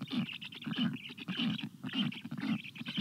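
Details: Black stork chicks beg for water in hot June weather, 2022, with loud rhythmic raspy calls about twice a second, each pulse grating and paired with a hissing wheeze.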